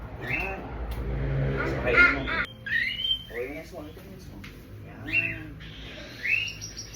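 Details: Cockatiel during recall training gives short whistled chirps that rise and fall, mixed with human speech and a low rumble.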